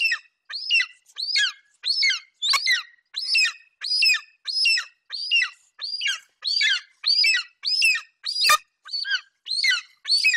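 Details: Repeated high, drooping whistles from a young male golden eagle over fresh prey, a Eurasian hare his mother delivered to the nest in Bucovina in summer 2021. The calls are evenly spaced, about one and a half per second, with one sharp click midway.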